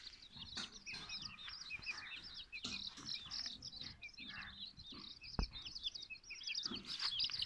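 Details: Silkie and Golden Sebright chicks peeping together: a dense chorus of high, arched and downslurred cheeps overlapping constantly, with occasional sharp clicks and knocks and a low background rumble.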